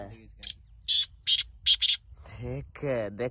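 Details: Black francolin in a teetar calling match, with a series of five harsh buzzy bursts, followed by a man talking over the end.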